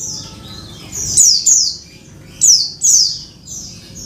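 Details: A female Oriental white-eye calls for the male, used as therapy for a bird gone quiet; shrill downward-slurred squeaks in two pairs, with a softer final note, over a quiet low hum.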